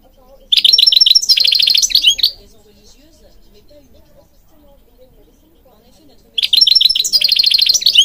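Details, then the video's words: Goldfinch from Morocco singing for training birds: a burst of fast, high chattering twitters, about four seconds of quiet with faint low murmur, then the twittering resumes. "Singing Goldfinch King goldfinch singing"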